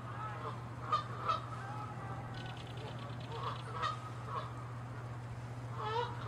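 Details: Canada geese fighting and honking in territorial aggression, chasing and attacking; scattered harsh honks come in loose pairs and clusters with quiet gaps between, and a steady low hum runs beneath.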